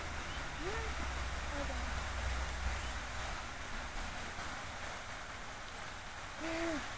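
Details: Eurasian coot with young gives a few short, nasal, slightly arched calls spaced seconds apart, over a steady low rumble of wind or distant traffic.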